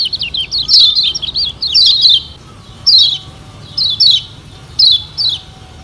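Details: Lure recording of a Lombok kecial kuning: an opening run of wavering high twitters, followed by separate short bursts of sharp falling chirps about every second.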